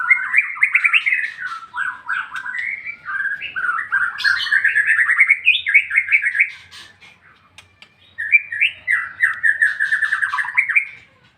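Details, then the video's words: White-rumped shama in full song: a rich, rapid run of varied whistled and warbled phrases, mostly mid-pitched, with a brief sharp high note near the middle and a short pause before the phrases resume. "MURAI BATU NGEPLONG-NGEPLONG"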